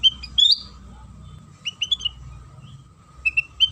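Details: Sooty-headed bulbul singing in a lure recording to provoke song from other bulbuls: a loud rising slurred whistle, soft mid-clip chirps, then short whistled notes near the end, over low background rumble.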